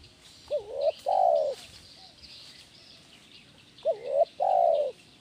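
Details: Spotted dove giving a 'kuk 1' style coo used as training audio: low and mellow, a short wavering note then a longer drawn-out coo, repeated about three seconds later, with faint hiss behind.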